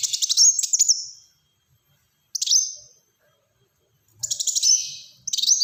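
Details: Black-throated sunbird singing in dense rapid bursts: fast buzzy rattles mixed with short high whistled slurs, three phrases separated by pauses of about a second.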